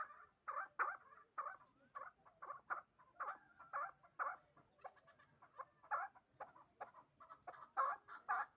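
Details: Partridge hybrid aged two years, bred for fighting and hunting, in Dushanbe city, Tajikistan, giving irregular bursts of throaty chucking notes, some grouped in twos and threes, with short pauses and louder notes toward the end.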